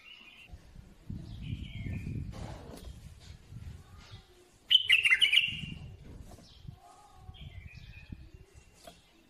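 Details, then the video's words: Bulbul utters a single quick warbled phrase of bright, bubbling notes midway through, surrounded by low rumbling noise and soft distant chirps. "سمع بلابيلك وشوف تغريد بلابل"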